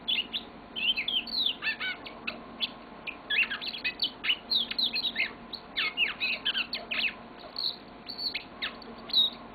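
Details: Yellow-fronted canary kept as a pet, pouring out a long continuous song of dense, fast chirps and sweeping whistled notes with hardly a break.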